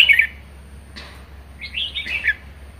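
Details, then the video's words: Pet red-whiskered bulbul in a cage, in lively 'ché' song: a short warbled phrase, a brief click, then a longer tumbling run of rapid whistled notes, over a soft background hum. "Chào mào hót hay | chào mào ché hay | chào mào siêu ché"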